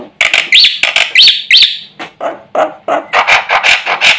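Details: Singing Black-winged myna in full mimicry-filled song said to stir up neighbouring birds: rough, chattering notes with a few sharp rising whistles, delivered about three times per second in an uneven rhythm.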